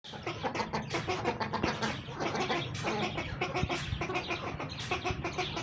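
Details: White guineafowl calling together in a noisy group: dense, harsh, rapid chattering notes overlap almost without pause, with sharper loud bursts every half second or so over a steady low rumble.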